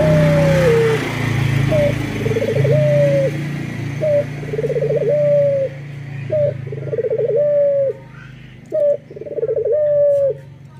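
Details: A local male Barbary dove singing in the morning against a steady low background hum. Four repeated phrases sound a short clipped note, then a quivering rolled coo ending in a held, slightly dropping tone.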